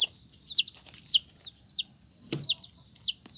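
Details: Colourful young chickens peep repeatedly, thin high notes that fall quickly, roughly every half second, with a single thud partway through.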